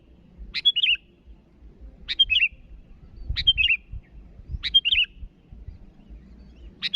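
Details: Sooty-headed bulbul, a lively calling bird, calling to rivals: short bubbly chirped phrases, each a sharp note and a quick warbled tail, repeated about every one and a half seconds, with a low rumble of background noise.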